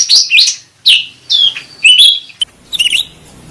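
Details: Cucak rante bulbul lure and therapy recording: a lively run of loud, varied whistled chirps, some slurring downward and some buzzy, delivered in quick clusters with brief pauses.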